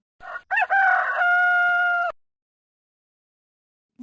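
A rooster gives one loud crow: two short clipped notes, then a long, steady, harmonic-rich cry held for over a second, ending abruptly.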